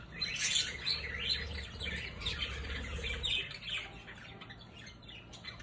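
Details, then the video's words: Orange-fronted parakeets playing together: busy, overlapping high chirps and squawks in quick uneven bursts, with a low rumble in the background. "PERIQUITOS frente naranja JUGANDO"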